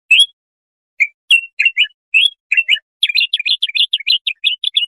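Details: A bulbul sings bright, warbling phrases of slurred whistled notes, first spaced out, then run together in a quick rippling burst, in a recording used to tutor young goldfinches; no other sounds.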